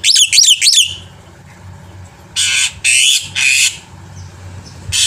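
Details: Full-varied song of a black-winged myna, recorded to coax other birds into singing: three quick down-slurred whistled notes, a pause, then three long harsh hissing screeches and a last rasp.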